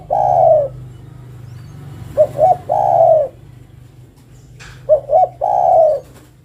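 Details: Calling the male, a female spotted dove repeats a two-note then long-coo phrase, the drawn-out note sliding slightly downward; about three phrases, backed by a persistent low hum.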